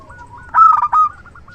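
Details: Big-voiced local zebra dove used for luring, one short loud cluster of rapid coos rising from softer background notes at similar pitch.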